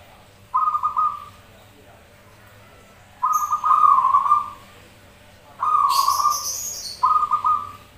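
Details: Zebra doves singing and answering each other, used as a lure to prompt other doves to sing: four rolling, trilled coo phrases with uneven gaps, plus one brief hissing high-pitched burst near the end.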